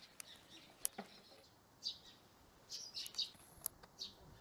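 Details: Eurasian tree sparrow pair that has moved into a new nest box gives soft, scattered chirps in a few short bursts over several seconds, with occasional sharp clicks and quiet background hiss.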